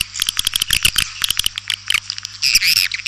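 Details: Calling sound of the white-nest swiftlet, used as a lure: quick bursts of sharp clicks followed by a brief shrill twittering phrase, over a faint low hum.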